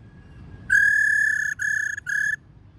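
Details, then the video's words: A female Streaked laughingthrush, recording used to stimulate male laughingthrushes, gives a clear, level whistle, one long note and then two shorter ones, steady in pitch. A faint low hum sits underneath. "khướu mái ro ro kích khướu bổi cực nhạy"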